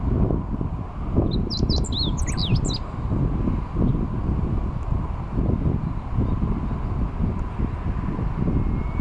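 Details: Singing meadow bunting by a river embankment, late May 2021, recorded from a bicycle: a single quick burst of thin, high twittering notes and short down-slurred whistles, then continuous low roaring wind and riding noise.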